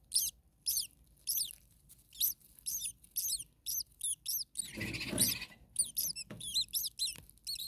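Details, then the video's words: Common starling chicks in an overheated attic nest, parent close by making noises: dense high squeaky chirps in quick bursts, briefly buried under a short rushing noise in the middle before the chirping resumes. "Starling baby birds very hot. Day 2 Nest 2. Mama bird was close by making some noises."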